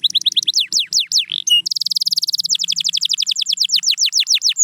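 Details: Canary pouring out a continuous song of rapid falling chirps, a short rolling buzz, then a sustained fast trill that slows into repeated downward-sweeping notes.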